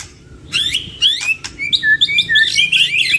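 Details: A pair of white-rumped shamas singing energetically: loud, clear whistled notes alternating with sharp high chips and quick slurred phrases in short bursts.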